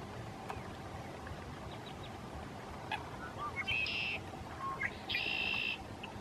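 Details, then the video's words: A Red-winged Blackbird calls from the reeds at Lake Arrowhead State Park, Clay County, Texas, on March 2, 2017: two rounds of short low notes, each ending in a harsh, buzzy trill, over a steady low rumble. "Red-winged Blackbird (Agelaius phoeniceus) Calling From the Reeds"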